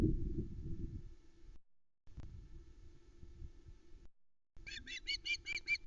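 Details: Osprey juvenile on the Loch Arkaig nest, 17 August 2020, begging for fish: mostly wind and low rumble, then a closing burst of about six rapid, high, piercing screams.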